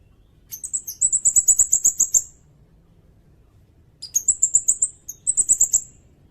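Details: Sirindet song for tutoring songbirds and luring: phrases that open with a few high chips and run into rapid, even, buzzy trills of very high notes, repeated after a short pause.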